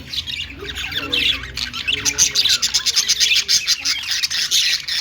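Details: Budgerigar singing and dancing, pouring out a fast, continuous stream of high, scratchy chirps and warbled notes with almost no gaps.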